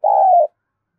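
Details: Spotted dove from Đồng Nai, Vietnam, giving a decoy-bird lure call: one smooth, low, hollow cooing note lasting about half a second, slightly wavering in pitch, followed by silence with no other sounds.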